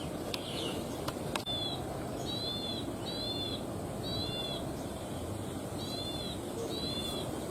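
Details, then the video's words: Wild plain prinia from rice fields repeats a thin, high, slightly arched double note roughly once a second against constant low background noise, after a few sharp knocks at the start. "suara asli dari alam ciblek sawah"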